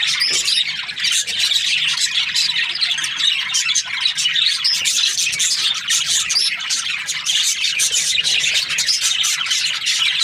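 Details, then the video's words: Australian budgerigars in breeding pairs keep up a long, unbroken chorus of rapid high chirps and harsh squawks, dense and even throughout. "Budgies parrot chirping sounds"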